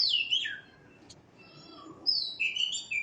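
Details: White-rumped shama giving clear whistled notes that sweep steeply downward, then a quiet gap, then a bright high phrase that drops in steps. Faint low background hum.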